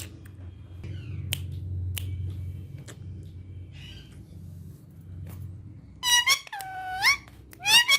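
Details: Female ringneck parakeet, a talking parrot said to speak Urdu and Hindi, indoors in a small room. After six seconds of quiet room hum, loud harmonic, nasal phrases with rising and falling bends come in three short bursts near the end.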